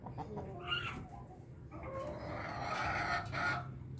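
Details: Hen of the Bangkok breed, having just drunk, lets out a drawn-out, hoarse, laughing crow with a rising start, preceded by short clucks, over a low hum.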